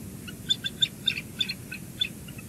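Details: Bald eagles at a cliffside nest high above the ocean at Two Harbors, on 26 April 2022, the day an eaglet was rescued and returned to the nest; a series of thin, high chirps, about ten in under three seconds, over a soft wind-like background.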